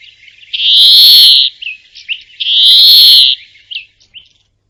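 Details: European Greenfinch singing its drawn-out nasal wheeze: two long, buzzy, level notes about two seconds apart, each followed by short chirped notes.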